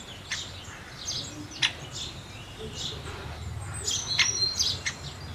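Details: House sparrows giving scattered short high chirps, growing busier toward the end with overlapping calls, over a low hum and steady hiss.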